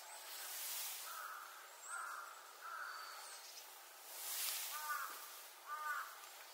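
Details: Brambling in Yamanashi, Japan, giving short, harsh nasal calls about once a second, with faint high thin notes from other birds and a brief rush of wind.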